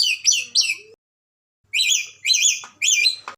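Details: Red lory from Ambon, a caged talkative bird, giving shrill, warbling high chattering phrases in short bursts separated by brief silences, with faint low scratching between.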